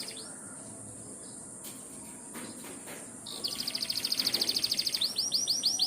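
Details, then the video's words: Morning canary song, said to be calling the rain: mostly quiet background at first, then a fast high trill begins and gives way to a series of repeated swooping notes. "Nyanyian Pagi Kenari memanggil hujan.."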